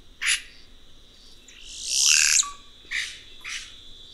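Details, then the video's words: Song of the red-rumped cacique: a harsh burst, then a long rushing, rasping phrase ending in a brief low whistle, followed by two scratchy notes. "Canto do Guaxe"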